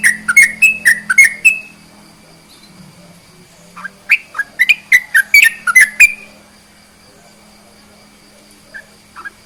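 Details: Sooty-headed bulbul singing, a recording used to provoke silent bulbuls into song: two bursts of quick, bubbly whistled notes swooping up and down, separated by a quiet pause, with a faint low hum and a few soft chirps at the end.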